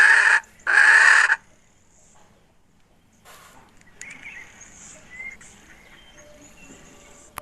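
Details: Hen recorded in 2021: two loud, harsh rasping squawks open the recording, followed by quiet rural background with faint distant bird chirps.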